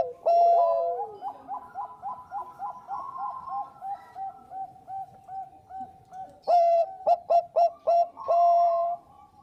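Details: Bangkok-type zebra dove in full song for luring birds: a steady run of soft, evenly spaced coo notes, then a loud burst of short, sharp staccato coos near the end, more doves in the background.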